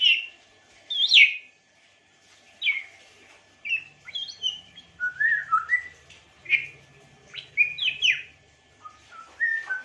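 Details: African grey parrot song mixing high sharp chirps with lower slurred whistles, delivered as scattered notes and quick clusters, some notes sweeping steeply upward, with a faint low hum in the background.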